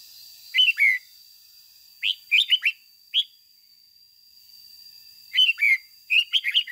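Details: Red-whiskered bulbul decoy singing 'ché' morning song to rouse captive and wild-caught bulbuls. Scattered short phrases of bright, slurred chirps, single notes between, with a steady faint high whine in the background.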